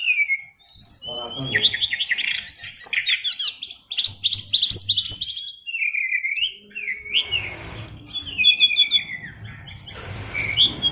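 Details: Oriental magpie-robin, kept caged as a fighter bird, pours out an 'isian luber' song packed with varied phrases: quick chirping runs, slurred upward whistles and high squeaky notes, with brief pauses between bursts.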